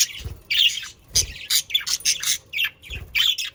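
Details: Budgerigars, Australian parakeets, in a recording meant to prompt pet parakeets to sing: dense harsh squawks and scratchy chirps in quick uneven bursts, with soft low thumps between them.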